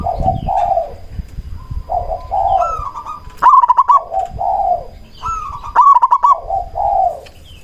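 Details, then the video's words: Lure recording of a local zebra dove (perkutut), meant to provoke silent or stressed doves into answering. Low mellow coos alternate with higher staccato, rapidly pulsed phrases, repeated in overlapping runs. "Perkutut lokal gacor RAJA PIKAT ahlinya bikin semua burung perkutut lain gacor nyaut"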